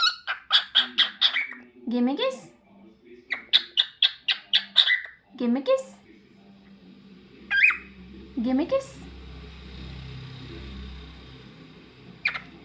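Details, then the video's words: Pet cockatiel delivers two fast bursts of repeated bright chirps, each ending in a rising squawk, followed by scattered calls over a hissing background. "Cockatiel Crazy Singing Bird"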